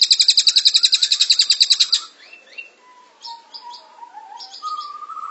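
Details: Cililin in a long, dense-song training recording for teaching cage birds: a fast, buzzy rattle of about eight high notes a second for two seconds, then a varied run of thin whistles, sliding notes and sharp high chirps.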